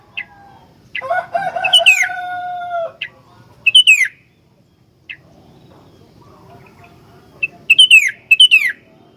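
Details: Sooty-headed bulbul in full song, used as a master recording to teach other bulbuls: two bursts of quick, bright descending warbled phrases, with a long drawn-out harmonic crowing tone and scattered short chips between.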